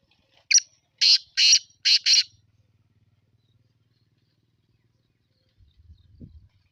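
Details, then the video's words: Black francolin gives one loud series of five rasping, scratchy notes in quick succession, then falls silent; a faint low hum and a brief low thump follow toward the end. "kala tater کالے تیتر کی خوبصورت آواز"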